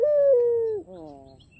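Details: Fragment of a cooing white ringneck dove, black-ringed, from Kalimantan, calling to draw rivals into sound: one smooth, slowly descending coo cut off abruptly, then a softer trailing murmur.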